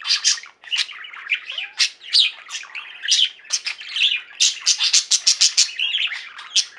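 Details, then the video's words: Singing flock of pet budgies, busy rolling warble mixing scratchy buzzes, squeaks and quick bright chirps, a rapid run of clicking notes near the end. "Most Beautiful Budgie songs Ever: Budgies singing and chirping"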